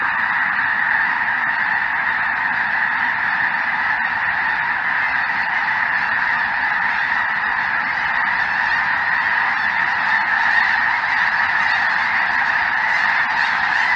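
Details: Snow Geese mixed with Greater White-fronted Geese and perhaps a Ross's Goose fill the sky over southern Indiana on a chilly January 23, 2023 afternoon; a dense, unbroken chorus of overlapping honks and yelps carries steadily throughout.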